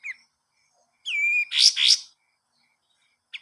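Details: Pied triller master song for training cage birds: a short whistled note sliding down, a flat whistle, then two loud harsh buzzy notes, with a brief chirp at the end.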